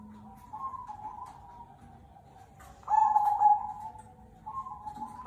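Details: Zebra dove of the local cemani kolbuntet type in full song: soft low coos, then a louder sustained level hoot near the middle, followed by further gentle coos.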